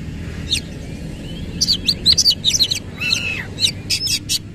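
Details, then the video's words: Oriental magpie-robin (kacer) singing a rough 'isian kasar' phrase with spread tail: a brisk run of sharp high chirps and short slurred notes, ending in clipped ticks, with faint background rumble. "KACER GACOR BONGKAR ISIAN KASAR BUKA EKOR"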